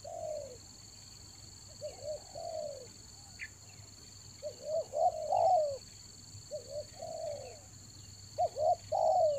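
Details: Softer spotted dove cooing for luring in the rainy season: scattered short coos and a few longer falling notes at uneven intervals, with a steady high electronic whine throughout.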